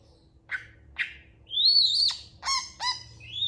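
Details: Long-tailed shrike singing in reply to other shrikes: two short chirps, a long rising whistled note, then two ringing, layered squeaky notes and a final thin whistle.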